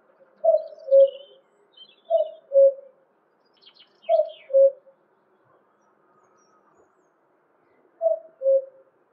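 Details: Male common cuckoo (Cuculus canorus) in the UK in spring gives its falling two-note "cuck-oo", repeated four times about every two seconds, with faint higher bird chirps in the background.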